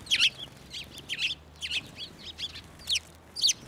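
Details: Sparrows coming down onto a person's hand for food at a Tenmangu shrine, 11 March 2024; a quick run of about ten sharp, high twittering chirps spread across the clip.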